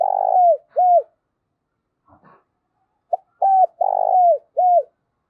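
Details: Decoy spotted dove calling to attract wild doves, giving two phrases of low mellow coos, each a long falling note followed by a shorter one, separated by a pause with faint clicks.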